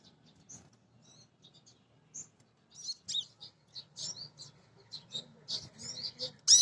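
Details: Song of a female Crimson Sunbird, said to call males in the wild and used to lure birds into singing. Sparse faint high ticks build into a busier run of thin chirps, ending with a loud note.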